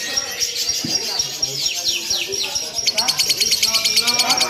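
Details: Lovebird in a simulated singing contest, ngekek style delivered without pause: sweeping squeaky notes give way after about three seconds to a fast, high, evenly pulsed chattering trill, with low voices murmuring underneath.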